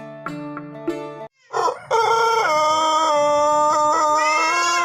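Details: Pelung chicken from Plered, Purwakarta Regency, Indonesia, crowing: after short low tones and a brief gap, a long, loud, rich crow is held steady for about three seconds, with small step changes in pitch.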